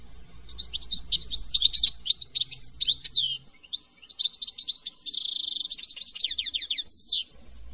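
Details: European goldfinch from France in a long run of bright, rapid twittering notes, a short break, then more chattering phrases with a sustained buzzy note and a closing high sweeping call.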